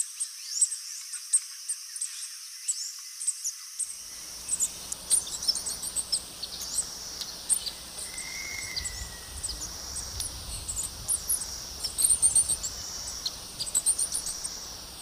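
Opal-crowned Tanager giving very high, thin chips and twitters in quick irregular bursts over a steady insect hum.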